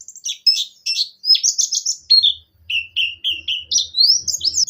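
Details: Wild-caught buxtoni Javan white-eye singing in lively 'ngerol nembak' style: varied high notes, some steady, some rising slides, a mid-pitched repeated phrase, with a faint low buzzing beneath the second half.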